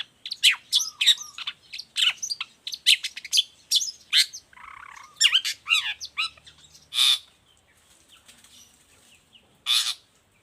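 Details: Long-tailed shrike singing a varied, rapid series of sharp chirps, harsh squawks and buzzy notes, with a short lower grating phrase midway, then sparse single high calls after a pause.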